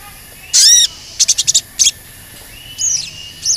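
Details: Crimson Sunbird calling, a cuit cuit lure meant to stir other birds into song: one strong, high, ringing note, then a quick burst of five short clicking chirps, a brief pause and two thinner, descending whistles.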